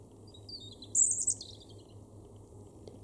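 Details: Robin in a garden in Weener, East Frisia, far northwest Germany, October 2022: a brief burst of thin, very high twittering notes, with a faint low hum repeating underneath.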